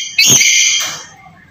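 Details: Black-capped lory, played to stir a quiet bird into calling: one loud, harsh, ringing squawk with stacked tones. It starts abruptly, holds for most of a second, then fades.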